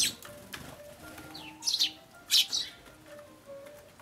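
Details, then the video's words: Sparrows scuffling as they fly up in a fight, recorded 5 January 2013, giving short, bright chirps in a couple of quick bursts, with faint low tones and background hiss underneath. "雀が舞い上がって喧嘩 Sparrows fight flying up"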